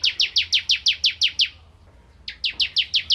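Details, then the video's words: Vigorous bar-winged prinia (ciblek kristal) song used to tutor magpie-robins: eight loud, evenly spaced downslurred chips, a silent pause, then six more in the same fast rhythm. "Burung Ciblek Kristal Gacor Untuk Masteran Murai Batu"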